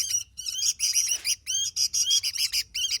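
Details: A Sooty-headed bulbul singing energetically, pouring out fast, buzzy chattering phrases with rising and falling inflections in near-continuous bursts.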